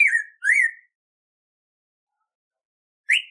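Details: Training song of the black-throated grosbeak (Saltator fuliginosus) for captive birds: two slurred whistles, one falling and one rising, then a long pause before a single upward-sweeping whistle, with nothing else audible.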